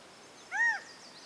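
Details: A quail calling from a tree branch gives a single clear, slightly nasal note that rises then falls, lasting under half a second, over faint background hiss.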